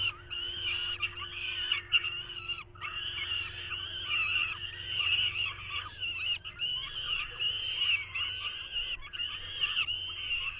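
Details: Young falcons at their nest in 2023 keep up a loud, grating chorus of screams in repeated bouts while the male struggles to feed them. A faint low hum runs underneath.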